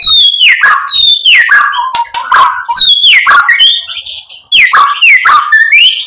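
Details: White-rumped shama used to provoke a rival into song; loud phrases of steeply falling whistles with harsh, grating notes, repeated in bursts about every second.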